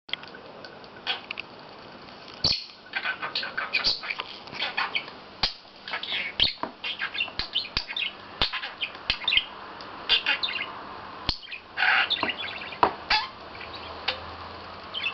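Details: A pet male budgerigar, playing with a toy mouse on a flat's carpet and talking to it, chatters in a fast, scratchy warble of squeaks, clicks and speech-like mumbles.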